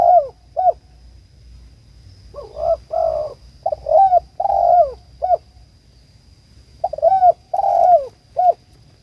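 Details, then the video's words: Spotted dove cooing to call its companion, repeated phrases of short notes and a long falling coo, about three phrases in nine seconds, with a quiet background hum. "TEKUKUR ||DERKUKU MEMANGGIL TEMAN"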